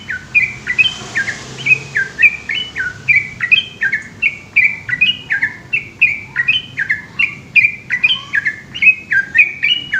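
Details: Long night-time song of a yellow-vented bulbul in the fast 'ropel' style: clear chirps that drop in pitch and repeat many times in quick succession, over a faint background hiss.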